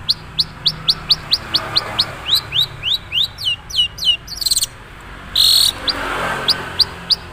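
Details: Madura long-tailed shrike giving its raw, unembellished song: a fast run of thin, bright notes dropping sharply in pitch, about three per second, then a pause, a harsh burst, and a few more notes.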